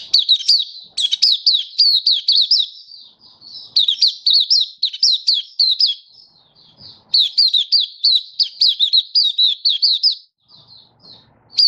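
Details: Caged Malaysian white-eye in full happy song in Singapore, stable warm sunny weather, March 2023: long runs of high, quick, sweet twittering phrases broken by brief pauses and softer notes.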